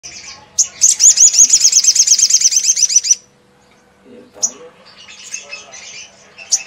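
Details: Olive-backed sunbird in non-stop ngleper song, used to rile up other sunbirds: brief high notes, then a fast, very high, regularly pulsed trill lasting over two seconds, followed by scattered thin chips.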